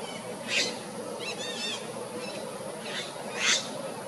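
Sunda pygmy woodpecker giving short, harsh buzzy bursts about three seconds apart, with a thin wavering whistle between them over steady background hiss.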